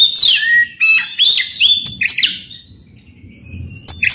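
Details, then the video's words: Oriental magpie-robin song used as a prompt for a non-singing bird: quick sequence of sweeping whistles and scratchy notes, then a quieter pause before a final burst. "PANCINGAN KACER AGAR NGEPLONG"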